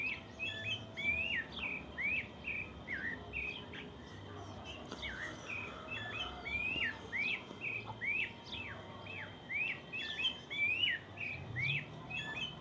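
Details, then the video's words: Long stretch of morning birdsong in the countryside: rapid, overlapping rising and falling whistles from more than one singer, coming in bursts with short pauses, faint low background noise. "Cuando vives en el campo aún puedes escuchar el lindo canto de los pájaros por la mañana"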